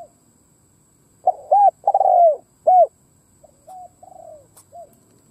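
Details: Spotted dove kept as a decoy, cooing to lure wild doves: a loud phrase of low mellow coos, a short rounded note, a long drawn-out falling coo and a final arched coo, then a quieter, softer repeat of the phrase; faint steady high hum.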